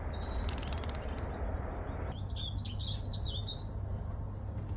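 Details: A pet Pacific parrotlet (Forpus coelestis) sees something outside as a potential threat and flares its tail while giving an alarm call: sharp, high chirps in a quick rising-and-falling series, over a steady low indoor hum.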